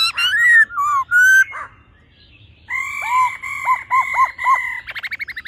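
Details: A laughingthrush pair, the female calling and the male singing in a wild-forest voice to rouse a male: slurred whistles, a pause, then steady harmonic tones broken by dipping notes and rapid chatter.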